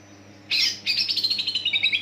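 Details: Greater green leafbird song used as a lure to set other leafbirds singing: after silence, a loud harsh burst, then a rapid, slightly descending string of sharp chirping notes. A low steady hum runs underneath.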